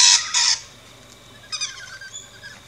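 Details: Two loud, grating screeches from rainbow lorikeets at a feeding station in an Australian backyard open the sequence, followed by softer rapid chattering.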